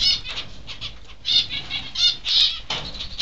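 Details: Two caged Peaceful Doves flapping about constantly inside a mixed aviary; bursts of soft, papery wingbeats in quick clusters, with faint finch chirps in the background.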